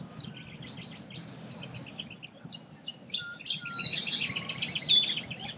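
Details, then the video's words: Australian forest birds singing: a chorus of high chirps and rapid notes, short pure whistles, and a louder series of descending buzzy phrases late on, with faint insect-like background noise. "Australian nature bird sounds | forest birdsong"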